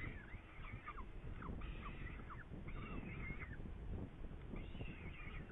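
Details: Hungarian Saker falcon, 8 May 2019, at prey: bursts of raspy, chattering screams, each lasting around half a second and sliding downward at the end, with a constant low hum beneath.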